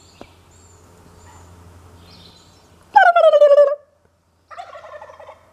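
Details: Narragansett turkey, about one year old, gobbling: a loud rattling burst that falls in pitch and lasts under a second, then a shorter, quieter second burst after a brief pause, with a faint low hum beforehand.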